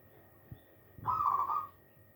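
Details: Hand-reared zebra dove, a single young bird: one short, warbling, slightly quavering coo lasting under a second, preceded by two soft low knocks, with faint background hum.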